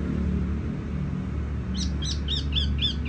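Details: Tiểu mi songbird singing gently and resonantly: from midway, a run of six quick, high, downward-sliding chirps about every quarter second, over a steady low rumble like an engine or machinery.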